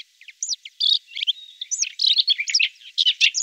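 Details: Brief burst from a red-backed shrike in central Brabant: jumbled squeaky and scratchy notes with a short thin whistle, delivered quickly in an uneven, chattering run.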